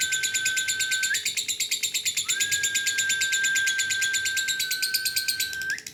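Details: Lovebird in single fighter style delivering a long ngekek trill: a rapid buzzy chatter of fast regular pulses sustained for seconds over a steady whistled tone, breaking briefly and resuming.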